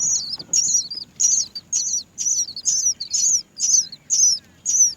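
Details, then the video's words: Several Great myna chicks waiting to be fed by their mother, who cannot find food; high, squeaky, down-slurred begging calls repeated about twice a second in a steady series, with faint low background hum. "Many Great myna baby birds are waiting to be fed by their mother"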